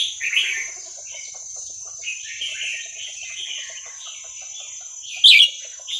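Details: Red-whiskered Bulbul, a wild Vietnamese bird whose song is used to train young birds, gives soft continuous chattering warbles, then a sudden loud, sharp burst near the end, with a constant thin high tone behind.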